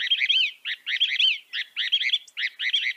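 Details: Northern mockingbird (Mimus polyglottos) in continuous song: a dense, buzzy, warbling phrase repeated over and over in quick bursts, about two per second, with hardly any gaps between them.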